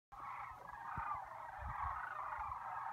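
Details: Sandhill cranes at Lac Le Jeune in spring give a continuous rolling, trumpeting, rattly call that lasts about three seconds, with a few soft low thumps underneath.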